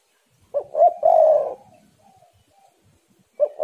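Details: Spotted dove singing hard, recorded as a lure for its kind: a low cooing phrase of two clipped notes and one long coo, a pause with faint soft sounds, then the next phrase starting.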